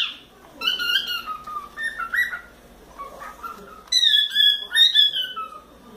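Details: Young pet cockatiel, a four-month-old male, whistling while playing on its playground and swing: a series of clear whistled phrases with rich overtones, some notes sliding down and others stepping up, with brief gaps between bursts, indoors.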